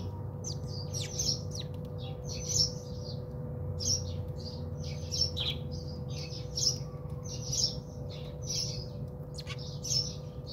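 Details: House sparrows bathing at a home in South Africa give a busy stream of short, high chirps, several birds overlapping in quick irregular bursts over a steady low electrical hum.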